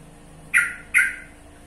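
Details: A pair of harsh, abrupt notes from a sooty-headed bulbul (trucukan), closely spaced and fading quickly, over a faint humming background.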